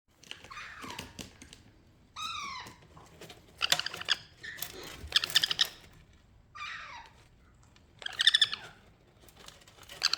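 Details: Young sun conure (Aratinga solstitialis), hyper and not wanting to play with a young rose parrot, gives harsh, scratchy squawks and bent, descending screeches in irregular bursts.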